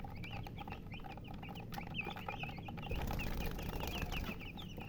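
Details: Baby chicken chicks chirping: a steady stream of short, high, downward-slurred peeps that overlap from several birds, over a low rumbling background.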